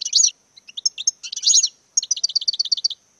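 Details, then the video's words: A European goldfinch's courtship song: dense twittering bursts followed by a rapid series of about ten repeated clipped notes. "Parade nuptiale d'un magnifique Chardonneret"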